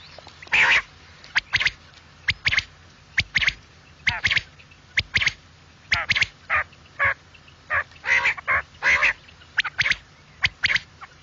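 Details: Quail calls used for morning hunting: sharp, bright calls in short clustered bursts, about one a second with uneven gaps, over a faint low hum.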